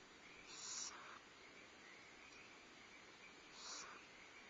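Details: At a Starr Ranch barn owl nest, 14 February 2011, the mother feeds owlets and the male delivers prey; two rasping hiss bursts about three seconds apart rise above a constant electrical-sounding hum.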